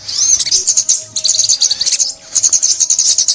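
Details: Sunbird song recorded for trapping in 2021: a burst of thin, rapid chirps, a short gap, then more bright high twitters, ending in a sustained run of quick notes.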